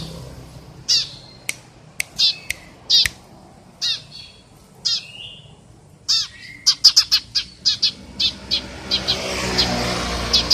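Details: Eurasian tree sparrow giving single bright chirps spaced about a second apart, then a faster run of clipped chirps at the end as a rushing vehicle-like noise rises.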